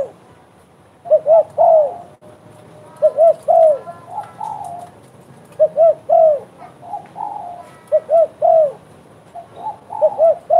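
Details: Spotted dove in lively voice, repeating its mellow three-part coo, two quick notes then a long slurred one. Phrases come every two seconds or so, with softer trailing coos between them.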